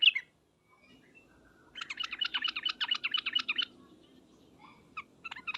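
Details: Sooty-headed bulbul in a ngriwek uplik uplik calling bout meant to draw an immediate reply from other bulbuls: a dense two-second burst of quick, sharp chattering notes, with isolated chirps before and after over a soft low background hum.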